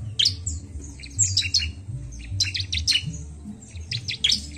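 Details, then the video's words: Bar-winged prinia song: rapid bursts of high, sharp chirps and squeaky notes, several phrases in quick succession over a low background hum. "bunyi burung Ciblek"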